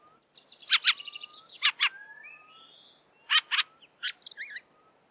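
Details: Fieldfare, a migratory thrush, giving harsh, dry chacking calls in quick pairs, three pairs spread over five seconds, with thin whistled notes and scattered high chirps between them.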